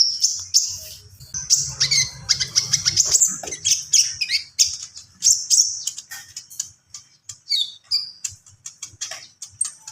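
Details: Javan pied starling singing in the lively 'gacor full isian' style, with fill-in phrases: dense, fast, high-pitched chatter of squeaky whistles, sharp chirps and short harsh notes, many per second, in uneven bursts with brief pauses.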